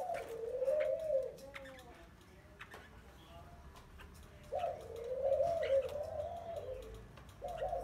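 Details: Spotted dove in a cage 12 days after being taken from the wild, with two long, low, wavering coos separated by a quiet pause of about three seconds, plus faint ticking noises.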